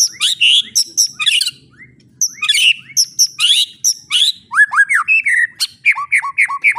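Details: White-rumped shama, recorded to coach young shamas into full song: busy, varied bursts of harsh high chattering notes mixed with clear downward-slurred whistles, repeated in quick phrases.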